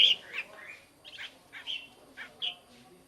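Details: Black-crested bulbul, recorded as a decoy sound for luring birds: short bright whistled notes, some slurred downward, given in quick clusters about every half second, the first loudest, over a faint background hiss.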